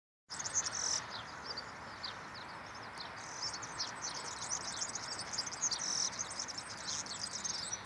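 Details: A wild European serin sings a fast, high, sizzling jingle of tiny tinkling notes that runs on without pause, over a steady background hiss.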